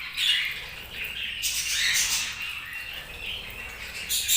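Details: Chirping budgerigars give high, raspy squawks and warbled chatter in overlapping bursts, with a louder harsh burst in the middle and another at the close.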